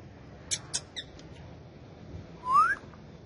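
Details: Pet male ringneck parakeet kept with several other parrots, shown talking and dancing: three sharp high chirps in quick succession, then a pause and one clear whistle sliding upward, over quiet room background.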